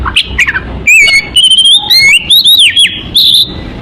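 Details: Oriental magpie-robin lure song used to attract birds: clear whistled notes around mid-high pitch, sliding and bending, mixed with short sharp chirps in quick phrases.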